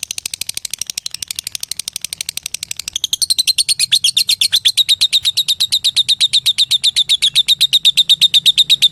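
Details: Long ngekek trill from a lovebird calling a rival, starting as a fast dry ticking and swelling after three seconds into a loud, rapid, evenly pulsed high chatter held to the end.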